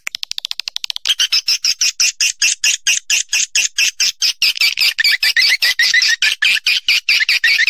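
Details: Swiftlet calls: a second of fast, sharp clicks, then loud, squeaky, buzzy chirps repeated steadily about twice a second, each a short harsh burst, continuing without pause to the end.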